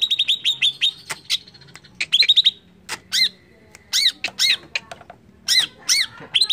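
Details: Greater green leafbird (Chloropsis sonnerati), song: provoking other birds into excited singing.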